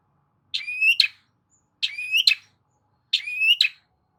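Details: Long-tailed shrike song meant to draw a silent shrike into singing: three matching phrases, each a buzzy onset gliding into a rising whistle and closing with a harsh note, spaced about 1.3 seconds apart.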